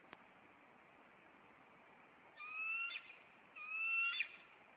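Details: Two high, thin whistled calls from a Maine bald eagle nest pair confronting an intruder on April 26. Each call holds steady and ends in a brief sharp flourish, after quiet background hiss.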